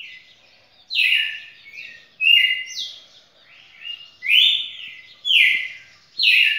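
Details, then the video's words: A champion red-cowled cardinal, singing more than two minutes in a row, delivers clear whistled phrases of stepped and slurred notes, some rising, some falling, spaced by short silences. "Galo-de-campina campeão batendo seu próprio recorde passou de dois minutos"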